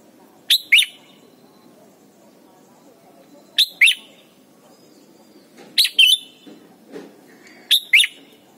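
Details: Red-whiskered bulbul from Thailand, heard in a recording for training young birds to sing. Crisp two-note chirped phrases repeat roughly every two to three seconds, bright and whistled, with a soft low murmur in the background.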